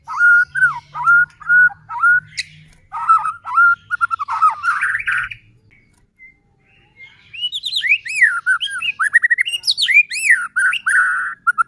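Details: Singing white-rumped shama, played to goad other shamas into song: evenly repeated whistled notes, then a pause and a burst of high, arching, varied phrases, rich and loud.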